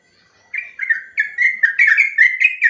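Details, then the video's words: Long 'ropel' song of a sooty-headed bulbul used to train other birds: after brief silence, a quick string of bubbly whistled notes, each slurring down, growing denser toward the end. "Suara burung trucuk ropel panjang"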